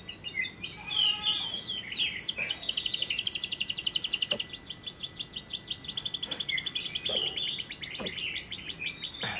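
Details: Lovebird lure recording for prompting lovebirds to sing by day and night, with long trills (ngekek): fast rapid-fire high chattering trills running several seconds, mixed with shorter chirps and sharp clicks.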